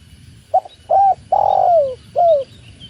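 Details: Tekukur or spotted dove cooing: a quick soft note, a short coo, a long low coo gliding down, and a final short coo, against faint background hum.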